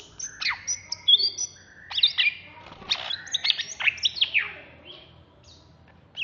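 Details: Greater green leafbird from Alas Purwo, caged in Jatiasih, Bekasi and prepared for song contests, singing excitedly: dense bursts of sharp chips and whistled slurs, somewhat busy and harsh, fading before a final note.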